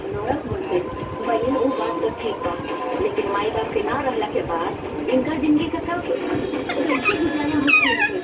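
A rose-ringed parakeet chatters in a speech-like babble, ending in shrill, sliding squeaks, over a busy indoor background of voices and hum.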